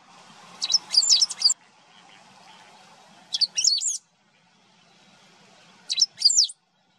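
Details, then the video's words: Song of a great pampa-finch in Maldonado river estuary wetlands, Uruguay, recorded September 2022: three brief high phrases of sharp chips and scratchy warbled notes, repeated roughly every two and a half seconds over soft background hiss. "Verdón (Embernagra platensis) cantando"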